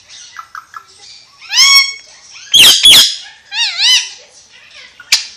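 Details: Alexandrine parakeet, a Pakistani ringneck parrot, talking: short chattered syllables, then rising harmonic word-like phrases, a harsh broadband burst near the middle, wavering whistled syllables, and a final sharp click.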